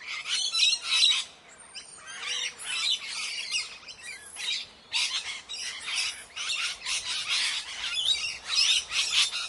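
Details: Shrill, rasping squawks from Indian parrots in quick bursts, roughly two per second, with a brief lull near the start before the noisy calling resumes.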